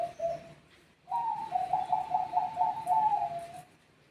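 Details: Zebra dove, a Bangkok bird answering other doves: two short coos, a pause, then a long trilling run of soft coos that rises slightly, then settles and fades after about two and a half seconds.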